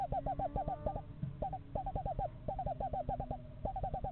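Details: Eastern screech owls, a pair house shopping in a yard in November, give quick pulsed trills in short broken runs, with a second fainter trill line beneath, plus steady low hum.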